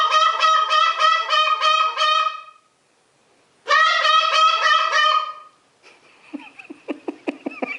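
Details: Young male greater sulphur-crested cockatoo kept as a pet, calling indoors beside its owner: two bursts of fast, nasal, honking pulses separated by a short pause, followed by soft clicking and tapping.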